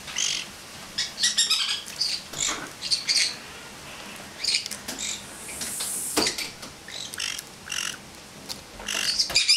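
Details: Pet male pineapple conure laughing while perched on a person's head indoors, another bird bathing nearby; scattered short high chirps and squeaks with brief gaps and faint splashing-like noise.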